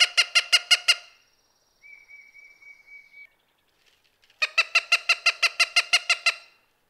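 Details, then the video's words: Cooper's hawk giving harsh, nasal "kac-kac-kac" notes, about six a second, in two bursts separated by a thin, steady whistled tone; its most common call, heard mainly in breeding season. "Cooper's Hawk Calls"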